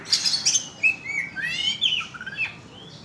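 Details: Lure song of an Oriental magpie-robin used to provoke birds: quick high chips, then clear slurred whistles and a buzzy, rattling phrase, closing with falling whistled notes.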